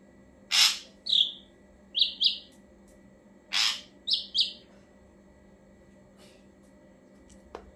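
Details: Ashy drongo song used to lure birds: a phrase of a harsh rasp, a whistled note and paired short whistles, given twice about three seconds apart, then quiet.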